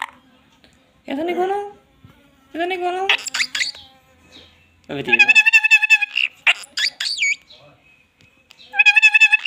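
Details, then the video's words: Talking parrot in Assam, India, sounding like a small child and imitating a cat: drawn-out nasal mewing syllables, then rapid pulsed harmonic trills repeated in fast bursts, loud and close. "একেবাৰে সৰু লৰা ছোৱালীৰ নিচিনা তাইৰ মাতবোৰ Parrot talking"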